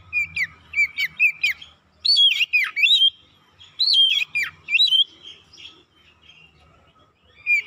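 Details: Fast oriental magpie-robin lure song meant to provoke birds: quick chipping notes lead into loud swooping whistled phrases with deep dips, then the song thins to a quiet close.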